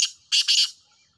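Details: Black francolin, described as purebred, calling: a short harsh scratch, then a loud grating double-pulsed burst lasting about half a second, trailing off with a faint echo in otherwise quiet surroundings.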